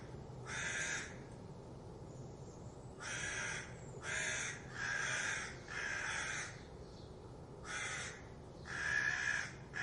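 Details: Alarm calls of crows reacting to a fox, loud rasping caws coming in irregular clusters separated by short pauses, several caws back to back near the middle, with a faint low hum underneath.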